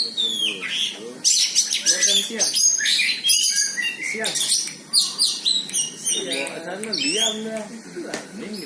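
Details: White-rumped shama confronting a rival, pouring out fast varied whistles and rapid trills, with lower wavering notes, possibly voices, beneath.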